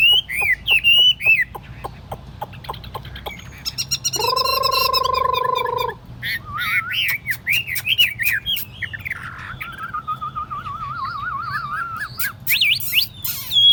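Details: Tame Chinese hwamei singing from a table-set hand cage: quick whistled notes and trills, a long harsh buzzy nasal passage, then wavering warbles and a rapid quavering whistled trill.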